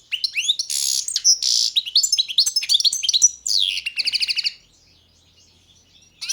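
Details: A Balkan goldfinch (Carduelis carduelis balcanica) sings a long twittering run mixing buzzy wheezes and rising chirps, closing with a fast even trill before falling silent.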